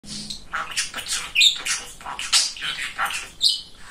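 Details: Very talkative male pet budgerigar chattering in a rapid run of speech-like syllables, scratchy and warbled, with short squeaky high notes mixed in and brief gaps between bursts.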